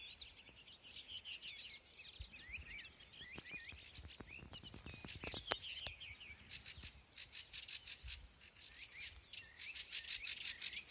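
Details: Several birds singing in a garden on a spring evening at sunset, a quiet, steady chorus of high chirps, trills and twitters, broken midway by a run of sharp clicks.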